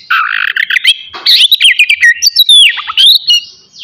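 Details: Oriental magpie-robin singing a loud morning phrase meant to trigger aggression and breeding urge in rivals; buzzy warbling start, then crisp rising and falling whistles with rapid chirped notes in quick succession.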